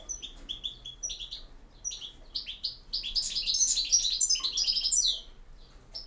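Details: European goldfinch singing a campero-style song: rapid liquid twittering and tinkling high notes in short bursts, building into a dense, bright jumble of trills near the middle before fading to quiet.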